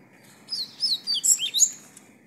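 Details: Double-collared seedeater, a breeder's bird, singing a short phrase of quick high sweeping whistled notes over faint background hum.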